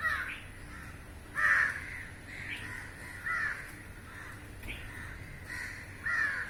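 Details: Many crows calling as a flock hunts flying insects in the air; loud harsh caws repeat roughly every second or so, some paired, over a faint steady hum.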